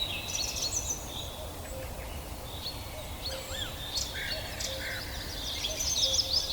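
Several birds chirp and twitter in quick, high, scattered notes over a steady background hiss, growing busier toward the end.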